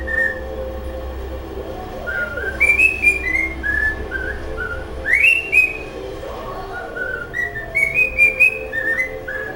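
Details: Pet cockatiel practising its favourite song: a run of clear whistled phrases, some gliding upward and some falling, in bursts with short gaps between them, over a steady low background hum.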